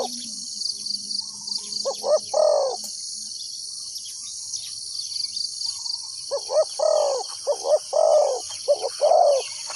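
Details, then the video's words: Decoy spotted dove cooing to lure wild doves into a trap. One phrase early, then a pause, then two more run close together. Each is short coos and a long burry note, over a steady insect chorus. "chim cu mồi gáy gọi bổi"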